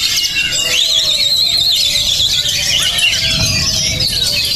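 Oriental magpie-robin in a fast, unbroken stream of high, varied whistles and squeaky trills, with a faint low rumble in the background.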